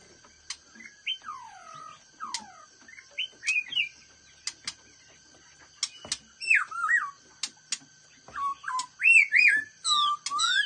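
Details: A black-throated laughingthrush with a fast-paced voice sings rich, looping whistled phrases that slide down and twist, mixed with sharp clicks, over a steady high-pitched background whine.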